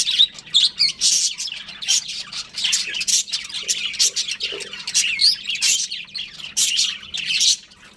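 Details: Budgerigar breeding pair trading loud raspy chirps and warbling squawks, busy and overlapping, with a few brief lower buzzy notes mid-way and a faint hum behind.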